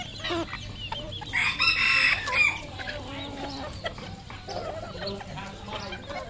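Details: A red junglefowl gives one strong crow lasting about a second, its broad harmonic notes ending abruptly, followed by softer clucking and calls from nearby birds.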